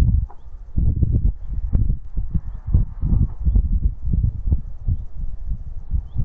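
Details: White storks in Buxtehude, April 2023, clattering as resident neighbours attack and drive off a newly arrived stork: rapid, hollow, low wooden knocking bursts in uneven runs, with faint background hiss.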